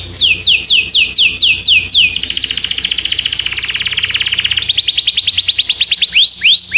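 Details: Canary song of repeated downward-swooping whistles, then a fast rattling trill, more sweeping notes, and final arched rising-falling whistles; faint low hum beneath.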